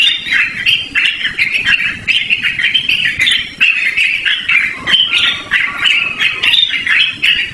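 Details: A yellow-vented bulbul sings a long, unbroken, melodious and shrill song, used for luring birds or as a training master. Busy chattering and warbling notes pour out continuously over faint steady hiss.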